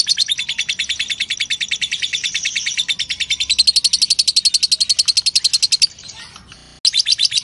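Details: Ngekek long chatter of a lovebird, meant as master recording for young songbirds: rapid shrill repeated chips that climb slightly in pitch mid-way, then stop abruptly near six seconds; a short burst resumes at the end.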